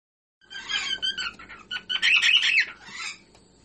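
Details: Whiteface pearl cockatiel singing: a chattering warble of squeaky, rasping and whistled notes in rapid irregular bursts, rising to a brighter squeal before fading out.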